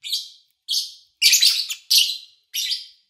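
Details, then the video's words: Lovebird chirping captured in August 2019 while the owner was away, so little engine or human noise intrudes; five loud, harsh, high chirps spaced about half a second apart, the middle ones longer and buzzier. "Sounds of Lovebird Chirping"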